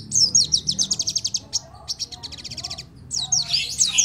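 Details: Crimson sunbird song used as a lure to prompt other birds to sing: rapid high buzzy trills of repeated notes, a short break, then more trilled runs ending in twisting sharp whistles.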